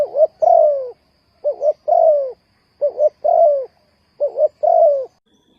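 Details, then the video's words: Lure call of a spotted dove for bird trapping, four repeated phrases about every one and a third seconds, each a brief doubled coo and a longer mellow note sliding downward, in a quiet setting. "The Tekukur Pikat Cocok,The Sound of Spotted dove"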